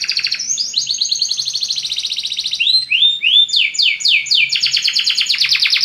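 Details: Belgian canary singing to stimulate other birds: long fast high trills, a few rising swoops, a run of falling whistled notes, and another rapid rolling trill, loud and continuous throughout.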